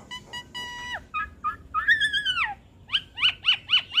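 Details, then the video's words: Asian pied starling crossed with Nias hill myna, recorded for cage-bird training: a steady harmonic nasal note, short chucks, a long arching whistle, then five quick sharp notes repeated about four per second. "Masteran Jalak Suren Biar Cepat gacor Dengan Ocehan Jalak Hybrid ASSU - Jalak Suren X Jalak Nias"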